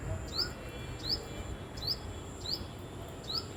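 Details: Tailorbird giving short, sharp chirps that sweep upward, five in quick succession at uneven gaps of under a second, over a steady high insect-like hiss and low background rumble.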